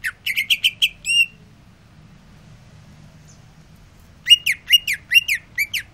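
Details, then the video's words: Greater green leafbird resting after sunbathing: a fast string of piercing slurred notes, a quiet gap of roughly three seconds, then another lively run of about eight whistled notes. "Cucak ijo rajin bunyi"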